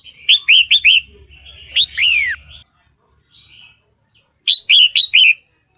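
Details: Breeding female red-whiskered bulbul calling a male, used to lure males: three quick slurred chirps, a long falling whistled note, silence, then four sharp chirps in a tight run; a low hum sits underneath at first.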